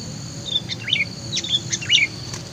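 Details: A lure-bird Sooty-headed bulbul, called kutilang, praised as lively and full of voice, gives quick clusters of bright chirpy, bouncing notes, about four short phrases in under three seconds, against faint insect hum.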